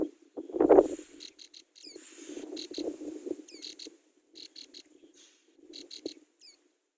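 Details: Baby Brown prinias in the nest beg for food from their mother with short high squeaks in clusters of two or three, mixed with brief sliding notes, over loud low rustling and scraping.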